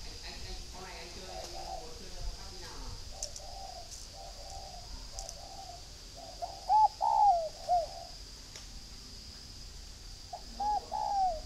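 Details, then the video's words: Spotted dove, from a breeding farm in Ba Vì, Hanoi, northern Vietnam, gives two three-part coos, a short note, a long falling croon and a short ending note. Earlier there is a mix of faint murmur. A steady high hum runs throughout. "chim cu gáy hay miền bắc"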